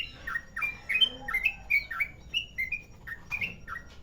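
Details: Long ropel panjang song of a yellow-vented bulbul from Merapi, used as a lure: rapid, liquid whistled notes tumbling one after another, swooping up and down, with a few faint lower notes from another bird beneath.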